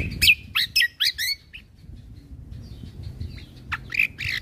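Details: Cucak kombo singing for a tutor recording for caged birds, late 2022: four loud, sharp, descending squeaky notes in quick succession, a quieter pause, then a few harsh high chirps.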